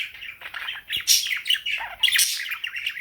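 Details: Morning singing from a female pet cockatiel joined by budgies; a busy, overlapping stream of chirps, squeaky whistles and scratchy chatter, with louder screechy bursts after the first second.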